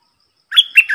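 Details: Decoy red-whiskered bulbul calling to draw in a territorial wild bird: a single quick phrase of three liquid, chirpy notes, each sliding up then down, after a silent start.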